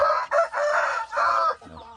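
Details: Rooster mating with hens, giving a loud hoarse crow in three strained bursts over about a second and a half, then a softer low clucking phrase at the end.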